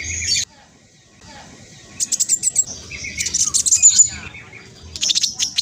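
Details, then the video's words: Spotted 'trotol' black sunbird singing fast and energetically: short bursts of high, squeaky chirps and rapid ticking trills in clusters, separated by quieter pauses, with one brief lower twitter near the start. "Kolibri blacksunbird trotol speed cepat semua burung akan ikutan nyaut respon"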